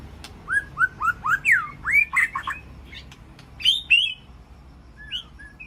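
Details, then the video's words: White-rumped shama calling to its flock inside a peaceful aviary: a series of clear, rising and falling whistled notes, about four per second, followed by higher sharp chips and a few descending slurred whistles. "Sound of White-rumped Shama Call to Flock"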